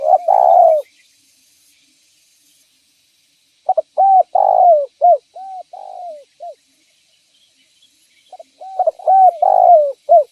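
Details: Spotted dove cooing as a lure: a loud coo, a pause, then phrases of quick notes, long descending coos and short closing hoots, repeated about every four to five seconds.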